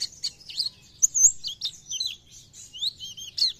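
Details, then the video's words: Oriental white-eye in lively song: rapid high chirps, squeaky slurred whistles and twittering notes in quick irregular bursts with short gaps. "PLECI GACOR NEMBAK BIKIN PLECI TAMBAH GACOR"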